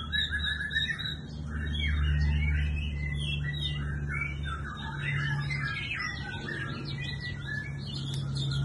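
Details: A bird sings a fast series of chirps and trills, dense and quickly repeated, with a constant low-pitched hum underneath.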